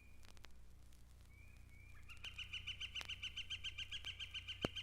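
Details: Yellow-shafted Flicker at Mountain Lake Sanctuary gives a long, rapid run of evenly spaced sharp notes, about six per second, that grows steadily louder. Thin whistles come before it, with faint crackle and low hum behind.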